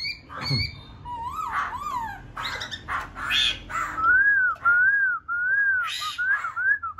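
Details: Newly wild-caught laughingthrush mixing harsh, buzzy notes with wavering whistles, then a run of evenly spaced, gently arched whistled phrases about one per second.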